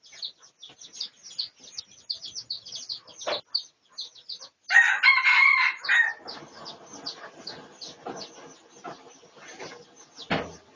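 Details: Research recording from 18 August 2023 of a pradu-coloured red junglefowl: a single coarse crow of just over a second sits midway through rapid, high twittering of other birds, with a dull thump near the end.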